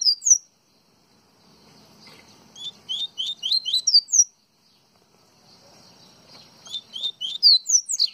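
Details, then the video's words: Double-collared seedeater (coleiro baiano), Pernambuco, delivering two song bouts, each a string of sweet upward-sliding notes rising in pitch and ending in sharp high accents. "Coleiro Baiano"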